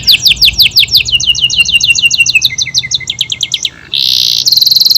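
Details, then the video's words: AF canary in full song: quick sweeping notes, rolling trills stepping lower, a brief pause, then a loud buzzy sustained phrase and a fast high trill. "KENARI AF GACOR, durasi panjang tembakan rapet"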